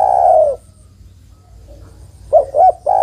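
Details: Female zebra dove calling a male, used as a trapping lure. A long falling coo fades out, a short pause follows, then two brisk hoots open the next phrase as a coo starts.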